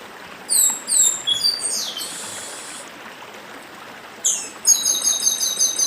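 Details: Song of the chestnut-bellied seed finch from northeastern Brazil beside a stream: clear downslurred whistles in quick succession, a brief buzzy phrase, then a fast series of high repeated notes; water rushes throughout.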